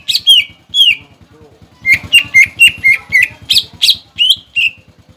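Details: A cucak ijo pancingan for provoking young and wild-caught birds to sing. Loud, bright downslurred whistles come about four per second over a steady low pulsing thrum in the background.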